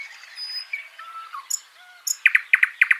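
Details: Mixed chirping in a Washington State backyard: thin whistles and short high tweets early, then a quick run of sharp, bright chip notes repeated several times in the final second.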